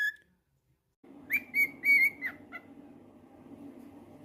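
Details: Pet cockatiel whistling: after a short pause, four or five bright whistled notes in quick succession, then fading, over a steady low mechanical hum that continues to the end.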